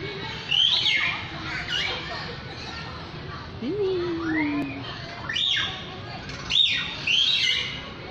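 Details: Lyrebird singing a varied string of clear whistled notes: rising and falling arcs at high pitch, then one low whistle sliding down and held for about a second, with further looping arcs after it.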